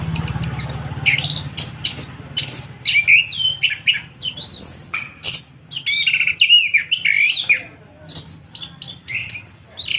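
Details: A punglor kembang, or Orange-headed thrush, kept for sale, sings an extended run of rich warbled phrases: rapid chirps, looping whistles and trills in quick succession with brief pauses between bursts.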